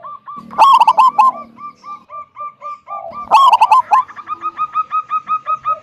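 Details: Local wild zebra dove in loud, big-voiced song, used to lure other zebra doves into singing: two bursts of rapid, harsh, stuttering coos, each followed by a long run of softer, evenly repeated coo notes at a steady pitch.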